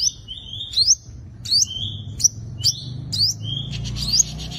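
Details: Olive-backed sunbird fighting song, used as a lure for trapping wild birds: high, thin whistled notes, each a flat tone followed by a quick rising sweep, repeated about every second over a low rumble.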